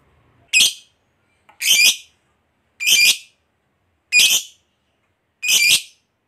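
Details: Lovebird of the fighter type kept by hobbyists, used as a lure so other lovebirds sing: five separate shrill, rasping chirps, evenly spaced a little over a second apart, in otherwise quiet surroundings.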